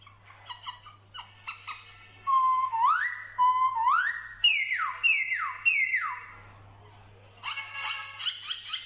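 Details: Male black-throated laughingthrush from Vietnam, 15 October 2021, singing forest-style phrases and imitating dogs, cats and chickens. Soft chips lead into loud rising whistles, then a run of four high notes sliding steeply downward, then quick harmonic trills.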